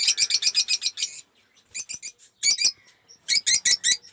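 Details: A fast run of about eight shrill, high chirps from aviary lovebirds, followed by shorter repeated bursts of the same piercing notes. The birds belong to a collection of colour mutations.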